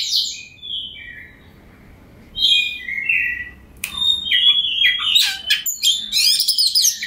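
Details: Fired-up Oriental magpie-robin, locally kacer, in full song as a rival-provoking lure: clear sliding whistles at first, then a brief lull, followed by harsh scratchy chatter and rapid buzzy notes.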